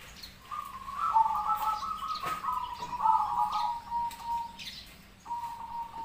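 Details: Zebra dove song from local and crossbred birds, meant as a lure recording for other doves to answer: one long rolling, vibrating coo trill lasting several seconds, then a brief restart, with light background ticks.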